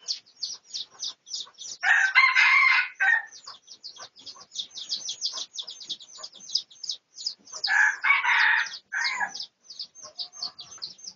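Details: Crowing from a red junglefowl of the pradu colour form, recorded for research on 18 August 2023. Two rough, multi-note crows rise over a dense, steady chatter of high-pitched chirping birds.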